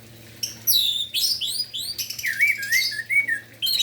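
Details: An orange-headed thrush in full morning song, aimed at prompting other orange-headed thrushes to sing: fast varied sequence of sweeping whistles, squeaky high notes and descending slurred phrases, almost continuous.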